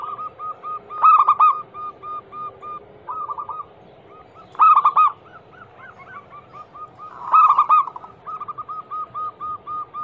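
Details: Local zebra dove, a female said to be calling males, in a lure recording for doves: quick regular coo series, with loud rolling, buzzy bursts recurring about every three seconds between softer runs.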